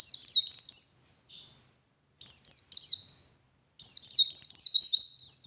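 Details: Lure recording of a white-eye's wild-style 'ngalas' song, 'wit wit' variation: three energetic phrases of fast, piercing high whistles, each made of repeated down-slurred notes, separated by brief pauses.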